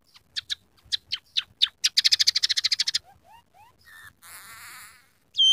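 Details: Scaly-breasted munia singing with coarse canary mimicry: spaced sharp chips speeding into a fast rattling trill, then soft rising whistles, a buzzy warbling passage and a loud whistle at the end.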